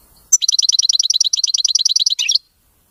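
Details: European goldfinch, locally called muqnin, singing a clean, error-free song: a fast, bright run of about two dozen high chirping notes over two seconds, ending in a lower twittering flourish, with no other sounds.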